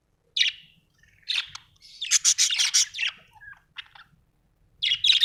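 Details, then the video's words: Budgerigar chirping: a single chirp, a short phrase, then a dense run of rapid buzzy chattering notes, a few scattered clicks, and a closing burst of chirps. "Budgie chirping sound"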